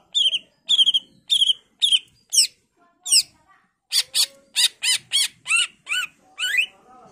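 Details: Greater green leafbird in full varied song, used to lure other leafbirds into replying: clear whistled notes repeated steadily, then a run of harsher, buzzier chattering notes.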